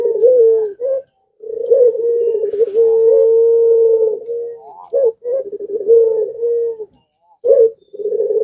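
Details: A dove in breeding condition coos in long, low, drawn-out notes with rolling, throaty breaks, calling almost continuously in several bouts and prompting other doves nearby to call too.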